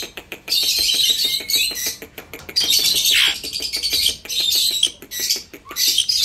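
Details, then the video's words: Indian ringneck parrot giving long, harsh, grating screeches in several bursts, with fast clicking or ticking underneath. "Funny parrot video 📸📸📸 ||India ringneck parrot 🦜🦜🦜"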